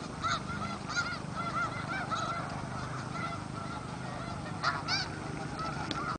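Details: Distant snow goose flock at the Richmond Dyke: scattered thin honks and yelps rising from a broad murmur, under steady low-pitched rumbling background noise.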